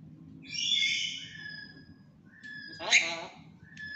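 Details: Tame black-capped lory, a talking pet bird, gives a drawn-out, strident, nasal call lasting about a second, then a short harsh burst near the end, over a low room hum with faint human voice.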